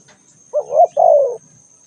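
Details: Single spotted dove call phrase: a short rising, wavering coo leading straight into a longer, soft note that slides gently downward. A faint steady high tone is in the background.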